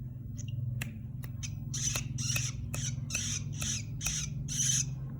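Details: Long-tailed shrike in training: sharp clicks lead into a run of coarse, buzzy, rasping bursts that grow louder toward the end, over a steady low electrical hum.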